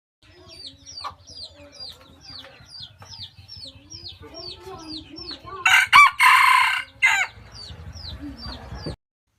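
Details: Rooster crowing, part of a set of roosters noted for fine crowing: one loud, harsh, drawn-out crow in broken bursts midway, over a steady run of high, falling peeps repeated nearly four times a second, plus soft clucks.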